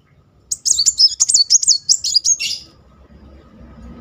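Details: Muncang sunbird song used as therapy to provoke another bird to sing: two seconds of fast, high, twisting twitters ending in a sharp downward note, then only quiet background hum.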